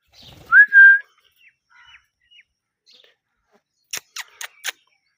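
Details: Pet parrot giving one clear rising whistle that levels off, followed by faint soft notes and then four sharp clicks or taps near the end.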